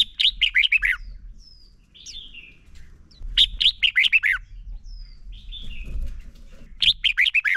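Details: Male red-whiskered bulbul singing as a lure to stir other bulbuls into song: three bursts of five or six quick, bright, descending warbled notes, each phrase spaced about three seconds apart, with soft thin whistles between and a low rumble beneath.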